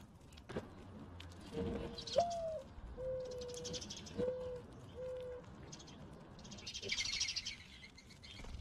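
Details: Mourning dove cooing: a soft low opening note, then a higher note that rises and falls, followed by three steady, level low coos about half a second each. Faint high chirping from other birds throughout.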